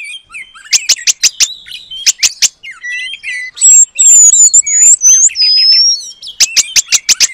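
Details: A kacer, or oriental magpie-robin, in full song (gacor) with long-tailed paradise bird mimicry as material: bursts of sharp, rapid clicking notes, then a run of clear high whistled phrases, then clicking bursts again.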